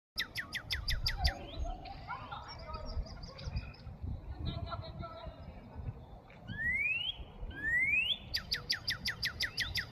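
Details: A northern cardinal in Markham, Canada gives quick runs of sharp, steeply falling notes at both ends, with two rising slurred whistles between, over a low background rumble.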